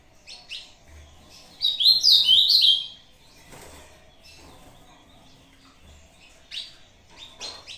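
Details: Ultramarine grosbeak, Brazuca type, answering a playback with its short competition song: a loud phrase of sweet slurred whistles lasting about a second, framed by quieter chirps and short sharp notes.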